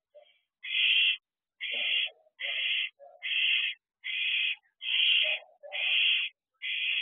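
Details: Barn owls at a nest box at night, 10:20 pm on 6/2/23, during a food delivery: harsh hissing screeches about half a second long, repeated roughly every second, with lower rasping chirps between them.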